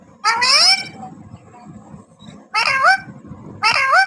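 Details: Talking parrot saying a short high-pitched word once, then repeating a two-part phrase twice more after a pause, voice bright with swooping pitch; quiet low room rumble underneath.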